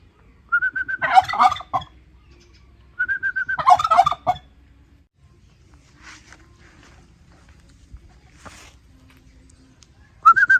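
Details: Turkey giving two loud gobbles about three seconds apart, each opening with a clear whistled note then a fast rattling burst, with a third starting at the end; faint distant calls between.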